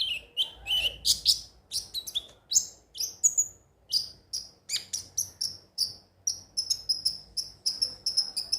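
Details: Crimson sunbird (konin) song meant to get birds singing daily: steady series of high, clear, slightly falling notes repeated about three times per second, starting with lower buzzy chips.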